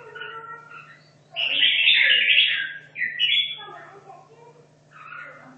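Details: Red-whiskered bulbul from Hanoi, caged for two and a half years, training for a song contest: a loud chattering, warbled phrase lasting about two seconds, then a shorter twittering follow-up, with softer bird notes and a constant low hum.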